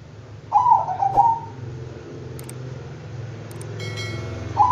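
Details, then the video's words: Bangkok-strain zebra dove song: a rolling, trilled cooing phrase of about one second with a stuttered start, then a new phrase beginning at the end, over a continuous low hum and faint clicks. "Bikin Kutut Bangkok Ikut Manggung DENGAN VIDEO INI,Pasti GACOR NYAUT dan NGAYER"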